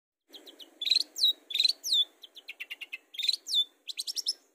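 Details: Long-tailed shrike song used as a lure to get other birds singing: quick varied chirps, rapid ticking notes and sharp falling whistled slurs in fast bursts, with a faint low hum underneath.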